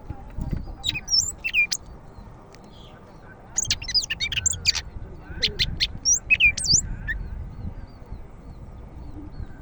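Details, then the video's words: Greater green leafbird of the Medan type, singing vigorously: bursts of sharp, varied whistles and chirps, some sweeping up and down, grouped in lively clusters separated by short pauses, over a low murmur of background noise. "BURUNG CAK IJO MEDAN GACOR"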